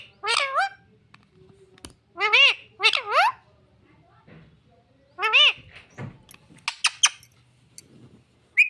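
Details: Pet parrot that says "mummy papa" chatters indoors in paired, swooping speech-like syllables, a few sharp clicks and knocks between phrases, a low steady hum in the background, a final short squeak.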